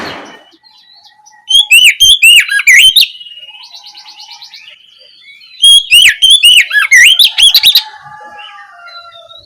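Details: Two bursts of loud Oriental magpie-robin ngeplong song in the afternoon, meant to provoke other magpie-robins to sing back. Each burst is about one and a half seconds of rapid, crisp whistled notes, separated by quieter twittering and a short buzzy trill.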